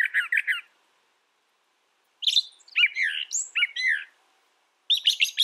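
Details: Brown thrasher song with a rapid run of repeated chirps, then a longer sequence of rising and falling squeaky, warbled notes, and another quick chirp burst at the end.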